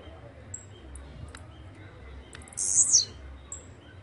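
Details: A single sharp, high buzzing phrase with a falling tail from a Blue-black grassquit (chirrío, pirra, tiziu, volantina), preceded and followed by faint thin whistles and clicks against low background hum.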